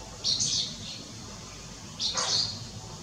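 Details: Striated swallow recorded on 30 June 2022 at Lugu, Taiwan: two short, high, buzzy chirp bursts about two seconds apart over a faint, steady background hiss.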